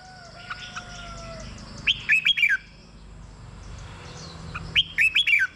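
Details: Red-whiskered bulbul in a cage, song meant to excite other caged birds: two bright phrases of quick falling whistles, about three seconds apart, over a faint low hum and a soft steady tone.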